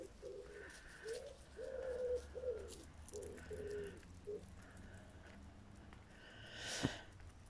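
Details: A turtle dove coos in soft, low, hollow notes grouped in short repeated phrases, with a brief rushing noise near the end, heard on a hot day's walk in shade beside a quiet country road near vineyards.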